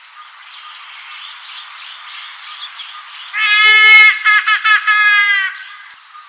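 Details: A trumpeter hornbill, a bird of central and southern Africa, gives a loud, nasal wail like a crying baby that breaks into a few sobbing pulses, over a high chorus of forest birds and insects.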